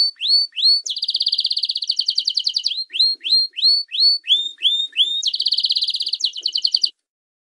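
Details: Canary training song for young and adult common and Belgian canaries: clear upslurred whistles alternate with rapid buzzy trills held on one pitch, phrases separated by short pauses, ending abruptly.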